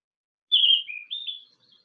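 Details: Green-backed flycatcher, a summer migrant breeder in the mountains around Beijing, singing a brief, clear phrase of high whistled notes: a bright slurred note, a lower one, then a rising flourish, with no other sounds.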